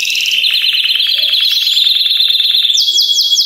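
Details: A chorus of Belgian canaries meant to get other canaries singing; a fast, regular pulsing trill runs throughout, joined near the end by a short series of rapid, high falling whistled sweeps.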